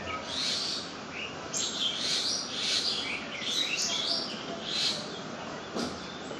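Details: Birds calling at a water body in the jungle: high, chirping and twittering phrases come in repeated bursts over a steady background hiss of water or insects.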